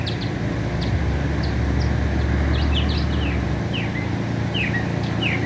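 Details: Mockingbird in America, a Northern mockingbird, delivering scattered sharp downward-slurred notes and brief squeaky phrases with gaps between them, while traffic rumbles steadily underneath.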